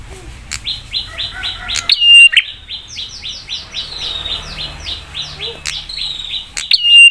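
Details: Prinia lure song meant to make other prinias answer quickly and grow agitated: long rapid runs of short, sharp, downslurred high notes, twice broken by a loud click and a clear level whistle.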